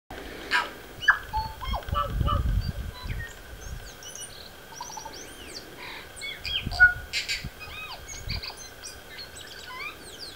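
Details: Tui (Prosthemadera novaeseelandiae) singing a varied jumble of clear whistles, clicks and quick upslurred notes, with a steady high hum throughout and low rumbles of wind.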